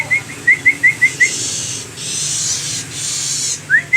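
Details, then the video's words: Long-tailed shrike giving a run of six short, clear whistled notes at a steady quick pace, a pause with steady hiss, then two more rising whistles. "Suara Merdu Burung Cendet"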